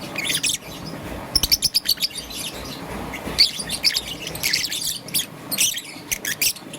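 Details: High, sharp chirps and short rapid trills from a young green-and-yellow peach-faced lovebird in the morning, delivered in irregular bursts with brief pauses.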